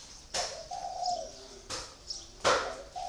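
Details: Spotted dove caged for four years, one low rolling coo amid loud sharp knocks and clatter, with faint high chirps in the background.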